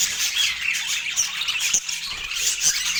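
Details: Brief burst of a pet parakeet's shrill, grating chatter at autumn morning feeding time, notes tumbling quickly with a short dip near the middle.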